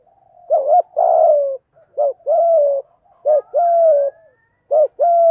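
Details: Spotted dove coo in the 'giọng thổ' style for stimulating doves: repeated phrases, each pairing a short hooting coo with a longer falling one, coming about once a second in an uneven rhythm.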